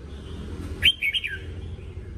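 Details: Training song of a red-whiskered bulbul, played for voice practice: one sharp opening note, then a quick series of clear, warbling whistles ending in a falling slur. Low background rumble.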